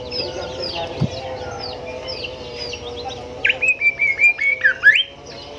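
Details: Golden whistler song used to train caged songbirds: after quiet background bird chatter and a low hum, a quick burst of about nine clear whistled notes ends in a rising upward sweep.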